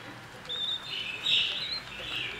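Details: Budgerigar nestlings between 11 and 21 days old, on breeding day 24, make a continuous harsh, wheezy chirping. It begins with a thin whistled note and swells to its loudest around the middle.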